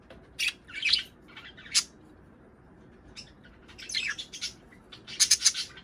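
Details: Budgerigar calls played to encourage pet birds to mate and lay eggs; sharp squawks come in short groups, with a quiet stretch midway and a dense run of rapid chirps at the end.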